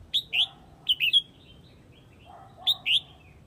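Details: Red-whiskered bulbul from Huế, Vietnam, calling the flock with crisp paired and tripled whistled notes, each group rising then dipping, repeated about every second, with quieter low notes in between.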